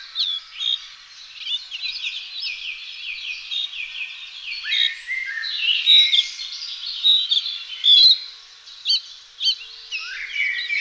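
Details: Young spotted flycatchers, two of them, being fed; repeated short high notes, each loud and brief, recur through a constant bed of mixed birdsong.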